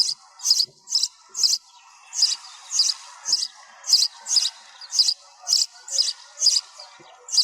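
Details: Sparrow chirping steadily in a noise-reduced recording, some sixteen piercing high notes spaced about half a second apart over a faint hum.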